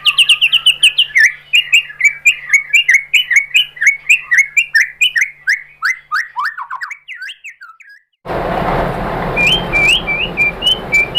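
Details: White-rumped shama song for provoking other shamas to sing: a long, fast run of sharp downward-slurred chirps that slows and drops lower, then a noisy stretch with a few high, quick notes.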